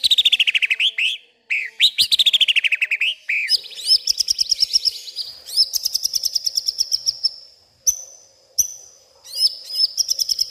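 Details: Agitated White-rumped shama singing at night with a stream of mimicked phrases. Loud sweeping whistles and rapid trills alternate with brief pauses, later settling into high repeated chattering notes and clear upslurred whistles.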